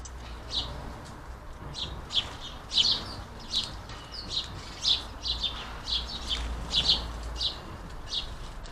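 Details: Many hungry house sparrows busy at a squirrel-proof bird feeder, giving short, bright chirps in irregular bursts, several a second at times, over a low steady hum of background noise.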